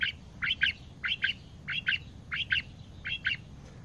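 A female quail gives paired, high chirps, two quick notes together, repeated about every two-thirds of a second over a faint low background hum.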